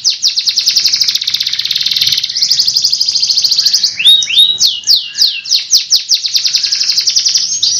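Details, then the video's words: Canary song used for training birds, long rolling style: an extended high rattling trill for several seconds, then two rising whistles and a run of quick swooping downslurred notes. "masteran suara burung kenari gacor"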